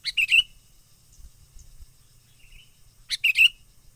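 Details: Wild sooty-headed bulbul lure call for trapping: a short, quick warbled phrase, a pause with a faint distant note, then the same bright phrase again.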